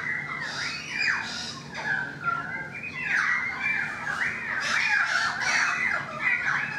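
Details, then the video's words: Balcony recording of currawong song: loud, rolling whistled phrases with swooping rises and falls, dense and overlapping throughout, with harsher bursts layered over the whistles. "The Currawong Song"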